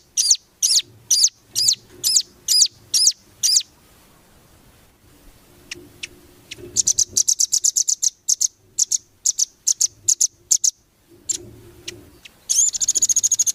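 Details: Velvet-fronted nuthatch song recorded as tutoring material for competition birds: a run of evenly spaced high sharp chirps, a pause, then rapid high trills in bursts, ending in a dense buzzy rattle.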